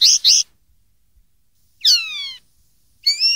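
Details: Linnet song meant as a tutor for young birds, from 2013: a pair of bright nasal notes, then falling, slurred whistles with layered tones, and a rising whistled phrase at the end.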